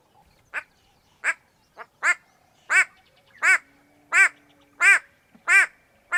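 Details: Wild white-bellied go-away-bird calling in Kenya, recorded on a Sony PCM A10 with Lom mikroUsi mics. A series of nine or ten harsh, bleating 'go-away' cries builds in loudness, repeated roughly every 0.7 seconds.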